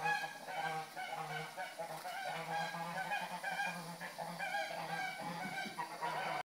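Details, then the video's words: Several angry geese giving a steady stream of harsh, nasal honks, overlapping calls packed closely together throughout with no clear gaps. "Angry birds - Gans blöd gelaufen"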